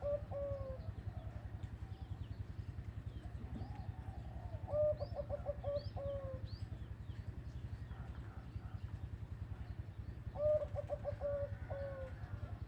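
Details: Zebra dove singing in a 'big voice' style: two bursts of quick, bubbling coo notes, each phrase a rolling stutter of short low notes, about six seconds apart, over a steady loud engine hum.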